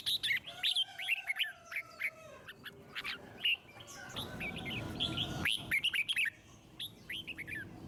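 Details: Red-whiskered bulbul in forest-voice style, sung to prompt other birds; chattering bursts of quick whistles and warbles, with a brief low rumbling noise in the middle before the phrases resume.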